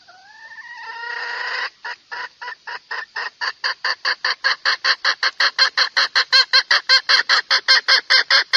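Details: Red junglefowl (Gallus gallus) call, used as a lure to trap males: a brief rising, drawn-out note, then a long run of sharp, harsh clucks that speed up to nearly four per second.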